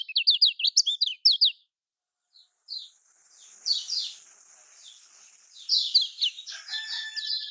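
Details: Lombok kecial kuning, the lemon-bellied white-eye, singing a prompt for silent caged birds: a quick run of bright high whistled notes, then a gap and scattered softer chips over background hiss.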